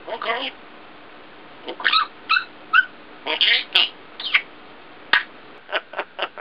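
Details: Female African grey parrot, 1.5 years old, mimicking new words: a run of short, bright, speech-like syllables in quick bursts with brief pauses, closing with several clipped, evenly spaced sharp notes.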